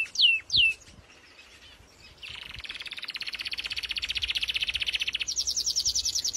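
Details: Singing song canary opens with two sharp descending whistled notes, then after a pause launches a long, high, rapid rattling trill that speeds up and jumps higher near the end.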